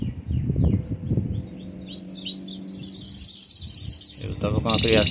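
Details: Intense yellow Belgian canary singing: a few swooping whistles, then a fast pulsed high trill that drops to a lower one, after some brief low noise at the start.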